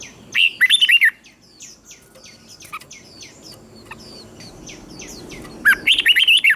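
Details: Red-whiskered bulbul song in the southern Thai master style, played to stir other bulbuls: two loud phrases of quick rolling whistled notes, with many soft high chirps repeated between them.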